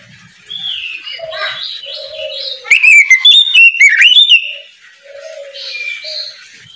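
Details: Morning ngeplong singing by an oriental magpie-robin, used to call untrained birds into song: soft low warbles and chirps, then a loud two-second run of sharp whistled notes that swoop up and down, fading back to quiet warbling.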